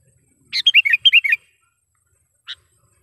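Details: Lure call of a sooty-headed bulbul, used for trapping wild bulbuls: a quick run of about seven liquid, bouncing chirps, followed after a pause by one lone sharp tick.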